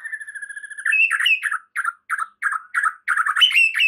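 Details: A white-rumped shama sings a lure song meant to rouse a stressed bird into vigorous song, opening with a long buzzy trilled whistle, then fast repeated chattering notes about four per second, brightening and rising at the end.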